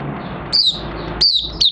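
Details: Oriental white-eye in a cage, in open song after three months of night sleep training with its cloth uncovered. Three brief high whistled phrases, each falling in pitch, sound over a low constant hum.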